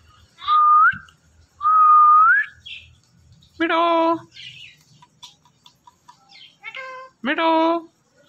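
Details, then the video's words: Indian ringneck parrot talking and mimicking words: two smooth whistles rising at the end, then harsh, rich, speech-like syllables with scattered soft chirps between them, indoors. "Indian Ringneck Parrot Natural Sounds"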